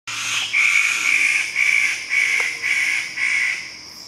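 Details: Standardwing bird-of-paradise from Sulawesi/Halmahera gives a run of six harsh, rasping notes, roughly two per second, over a steady high insect hum.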